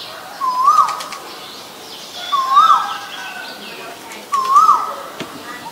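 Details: Repeated call of an Asian koel: three rising, whistled upswept notes, one about every two seconds, evenly spaced, over soft background twittering of other birds.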